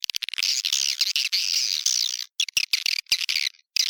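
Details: Swiftlet lure call taken from an established swiftlet house: a harsh high-pitched rasping twitter sustained for two seconds, then clipped stuttering bursts separated by silences.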